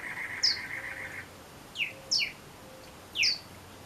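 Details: Male Pyrrhuloxia calling its mate, Tucson desert: bright, sharp, falling chip notes, first single, then paired in quick succession, with a faint low hum in the background.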